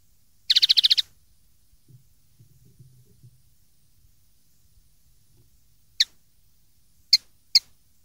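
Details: Common linnet song from a 2013 recording meant for young linnets to copy: a fast, buzzy high trill of about eight notes, then a quiet pause and three separate sharp chirps near the end.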